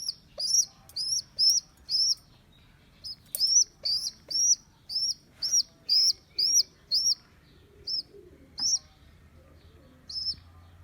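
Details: Rescued baby rock pigeon, abandoned by its mother on a neighbour's roof, on its second day in care: high, thin arched squeaks about twice a second, in bursts broken by short pauses, with faint low rumble beneath.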